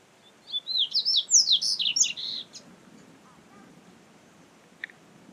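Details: Double-collared seedeater singing in the wild: a quick two-second burst of sharp, high warbled and slurred notes tumbling up and down, then near silence with one faint chip near the end.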